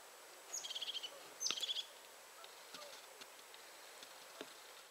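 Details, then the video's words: Crested tit (Czubatka) at 51.942174, 20.123012 gives two quick calls about a second apart, each a thin high note running into a short purring trill, followed by faint clicks and quiet background. "Crested tit / Czubatka"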